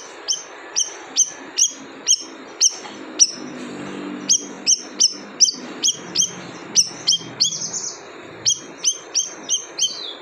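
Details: Siri-siri bird giving a long series of sharp, high chirps, each note a quick downward-sweeping tick repeated about every half second, with a steady hiss in the background.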